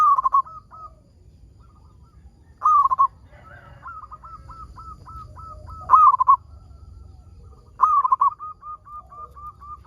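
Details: Local zebra dove, a keen singer, used as a lure to set other zebra doves singing: four loud, rolling, stuttering coo phrases every two to three seconds, with soft, clipped repeated coos between them.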